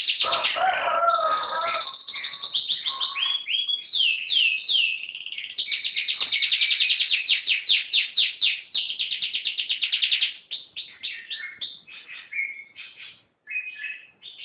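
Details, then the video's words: Canary singing vigorously: a long, fast, continuous song of rolling high trills and repeated chirped notes, with brief slurred whistles and a few lower warbles near the start, barely pausing for over ten seconds. "Kicau Burung Kenari Gacor"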